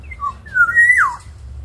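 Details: Black-naped oriole singing actively as a lure song to train other birds: two short whistled notes, then a long fluty whistle that rises and swoops down at the end, over a low steady hum indoors.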